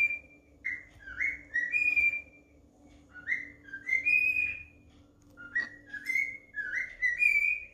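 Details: Pet cockatiel singing at home: a series of clear whistled phrases, each note sliding upward and stepping higher in short runs, in three bursts separated by brief pauses, with a faint steady hum in the room.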